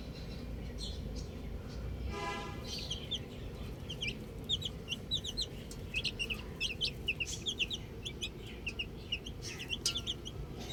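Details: Chicks at play with a ball: a quick buzzy burst early on, then busy overlapping high-pitched peeps growing denser toward the end over low background noise.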